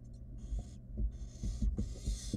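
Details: Wild barn owl nestling handling food delivered by its mother in a nest box; long noisy hisses alternate with soft thumps and knocks from movement, all over a low electrical hum.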